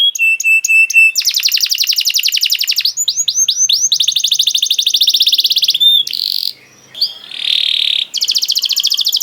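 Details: Canary song meant as bait to make other canaries sing: varied phrases of very rapid buzzy trills, clear held whistles and swooping notes, broken by short gaps and a harsher rasping burst.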